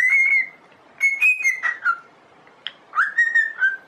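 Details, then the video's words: Cockatiel singing for song training, giving clear sustained whistles with a few sliding notes, broken by a gap of about a second, then a rising whistle and short level notes. "Aprenda Como Ensinar a Calopsita a Cantar"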